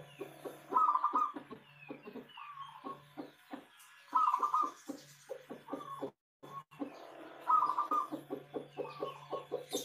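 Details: Javanese local zebra dove singing as a lure for other birds: phrases of rapid staccato coos, each opening with a brighter trilled note, repeated roughly every three seconds over a low constant hum.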